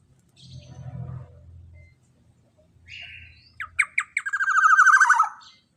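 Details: Black-naped oriole song used as a lure for training other songbirds: low murmuring at first, then a loud series of sharp separate notes running into a rich, fluting, descending warble.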